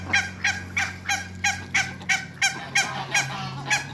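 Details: Harsh, evenly paced honks from two pairs of African geese in a backyard with Muscovy ducks, about three per second, over a low steady hum.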